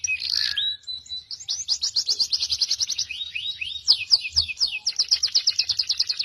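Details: Bird song from a cucak jenggot, cililin and canary masteran: a harsh opening note and short whistle, followed by long, fast, even trills and falling chirps in steady pulses.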